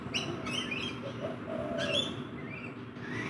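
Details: Rainbow lorikeets feeding in a backyard give short, harsh, screechy chirps with rising and falling strokes, scattered through the clip over a steady low hum and background noise.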